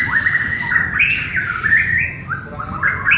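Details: Bornean white-rumped shama (murai batu Borneo) singing in a joint training session: a sustained high whistle opens, then a rapid run of varied stepped, slurred notes at mid pitch, delivered in quick bursts.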